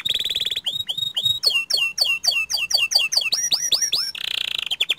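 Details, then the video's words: Canary of the panda variety delivering a long shooting phrase: a buzzy roll, then a run of loud descending slurred whistles repeated about three per second, ending in another dense trill. "Suara Kicau Kenari PANDA Gacor Ngerol Nembak Panjang"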